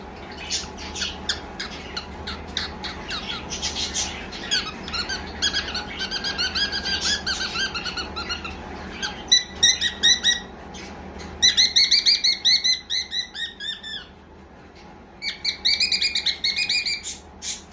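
A cockatiel chatters in quick bursts of bright, buzzy chirps and squawks, with a low indoor hum behind.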